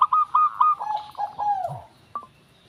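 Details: Zebra dove (local perkutut) gives three crisp, evenly spaced coos, then a rolling series of lower, slurred notes that fade away, followed by one short clipped note.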